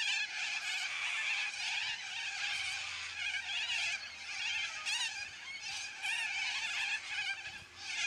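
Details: A noisy flock of yellow-crested cockatoos keeps up a dense, shrill, grating chorus of overlapping squawks, with a faint steady low hum underneath.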